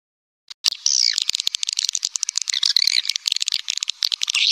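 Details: Swiftlet lure call: after a brief silence, a dense stream of high chirps and rapid clicking twitters starts and runs on without pause.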